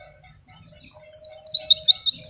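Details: Oriental white-eye, a lively singer fed only banana without doping, used as a master tutor for young birds and for luring wild birds; a brief high thin note followed by a quick run of rising-falling chirps, with a low steady hum beneath.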